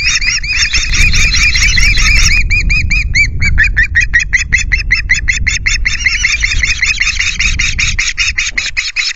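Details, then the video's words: Indignant ospreys at their Loch Garten nest, 9 August at 09:00, screech an intruder away; nest camera. Rapid, insistent piping notes, about two and a half per second, shrill and slightly rising, continue almost unbroken above soft wind noise. "Our indignant boys screech BlueKL5 away from nest ~ Osprey"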